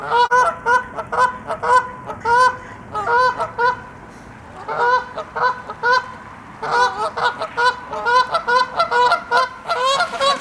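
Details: Canada geese honking as they take off, a dense chorus of loud, harmonic honks repeated in quick bursts with short pauses between groups, many birds calling over each other.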